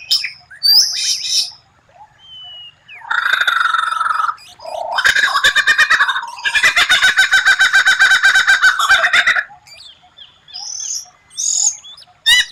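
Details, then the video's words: White-rumped shama song, a rare unusual phrase for training: scattered high whistles, a long buzzy churring stretch, then a fast chattering rattle of dense notes, ending with sharp high whistles. "Masteran murai batu tembakan langka, suara aneh tapi memukau lawan"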